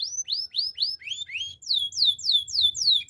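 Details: Yorkshire canary training song: high, sweet, rapid whistled notes, first rising slurs repeated about every quarter second, then faster falling sweeping trills, with faint low background noise.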